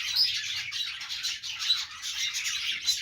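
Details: Budgerigars, Australian parrots, kept as pets, making happy sounds during their morning routine indoors; dense overlapping chirps and warbling chatter from several birds, continuous with no pauses.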